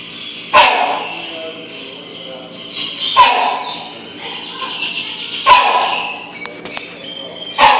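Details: Captive rhinoceros hornbill in an aviary giving loud, hoarse barks about every two and a half seconds, each a short explosive honk; soft background hiss and faint other sounds between.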